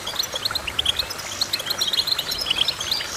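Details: Goldfinch pouring out a quick twittering song, short sharp notes strung into tight runs with a few slurred tones, continuous over the short stretch.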